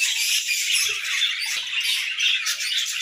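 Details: Several budgerigars warbling in the morning, dense squawky chatter and sharp chirps with a few soft knocks in the background.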